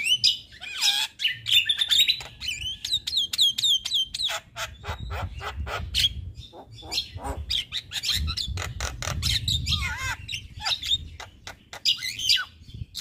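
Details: Talkative male Javan myna, recorded for myna song training. It delivers a fast series of repeated chevron-shaped whistles, then dense clicks and harsh chatter, and a falling whistle near the end.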